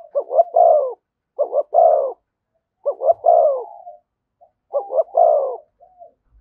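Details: A spotted dove calls near a decoy bird in the thúc gù cooing style. Four repeated phrases of two short sharp notes and a fuller, falling coo come evenly, with a brief trailing note after some phrases.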